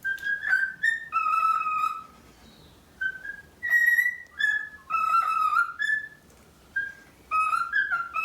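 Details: A chatty male cockatiel, excited by his reflection in a bathroom mirror, sings bright, clear whistled phrases with a few sliding and warbled notes in short bursts separated by brief pauses.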